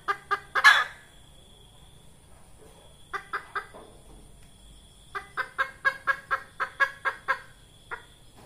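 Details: Red junglefowl hen, her call used to lure birds for trapping; quick clucks and a harsh burst, a short trio of clucks, then a steady run of about a dozen clipped clucks, under a constant thin insect whine.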